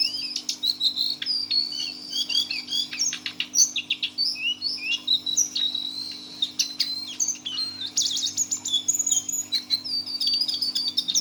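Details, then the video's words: Brown jongkangan, or Lesser Shortwing, aged six months and caged, pours out a long teler song of jumbled high whistles, trills and clicking chips with hardly a pause. A low mains-like hum sits beneath. "GAYA KICAUAN BURUNG JONGKANAN COKLAT TELER"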